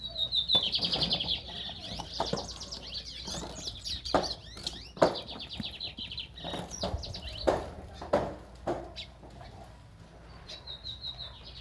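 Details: Lined seedeaters, young birds in green plumage, singing in rapid high trills and chattered phrases, strongest in the first two seconds and again near the end, over loud clicks, knocks and handling noise.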